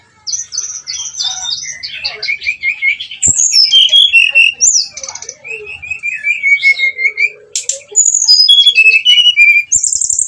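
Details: Energetic lure song of a brown-chested jungle flycatcher, meant to stir rival birds to fight: a long, varied run of high whistled phrases, quick trills and descending slurs, delivered almost without pause.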